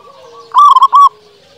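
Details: One loud phrase from a local zebra dove, used as a lure for doves that are slow to sing: three quick trilled coo notes in under a second, with faint steady cooing of other doves behind.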